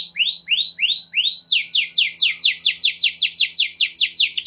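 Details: Clear-voiced canary song for encouraging silent canaries to sing: four rising whistled swoops followed by a fast, steady series of sharp descending notes, with a faint low hum behind.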